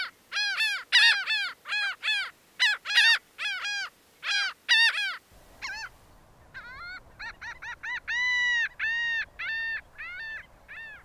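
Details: Laughing gull calling in a fast series of short, nasal, arched notes, then a pause, then a second burst of longer, drawn-out laughing notes that rise and fall.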